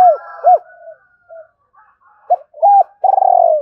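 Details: Spotted dove in the thổ singing style, played to stir up a decoy bird: loud, low, hollow coos, two quick notes, a pause, then a run of short coos ending in a longer rolling, falling coo.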